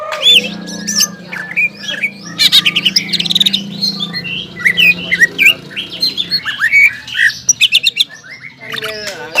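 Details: Greater green leafbird kept in a cage, singing while aroused: varied whistled slurs and chattering mimicry over a low steady hum in the first two thirds, with a quick repeated trill near the end.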